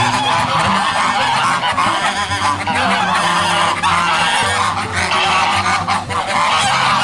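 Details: A flock of geese calling all together: a continuous loud wall of harsh, overlapping nasal honks with no pause, over a soft background of music with a repeating bass line.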